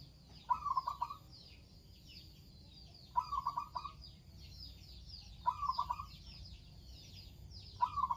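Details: Actively singing local zebra dove repeating a short trilled coo phrase four times, about every 2.5 seconds, each a clipped burst of mellow staccato notes; steady faint high twittering of other birds continues behind.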